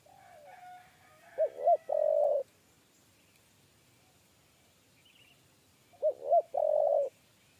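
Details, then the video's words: Spotted dove, 'kuk 3' style, lured toward a cage. A faint thin sound comes first, then two phrases of quick arched notes ending in a long mellow coo, spaced about four and a half seconds apart. "TEKUKUR KUK 3"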